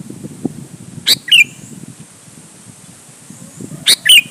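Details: Sooty-headed bulbul delivering challenging song to lure others to answer: two sharp-note-and-warbled-whistle phrases nearly three seconds apart, with low murmuring noise between them.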